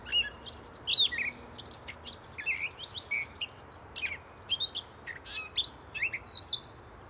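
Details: Gray catbird singing a rambling, jumbled string of short, varied squeaky and chirpy notes, high-pitched and delivered rapidly in uneven bursts, with a faint low hum underneath.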